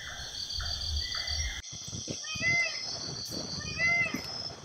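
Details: Two loud, nasal, arching Indian peafowl wails about 1.5 seconds apart near Turturi village by the Raidak river, North Bengal, over a steady drone of crickets and other birds.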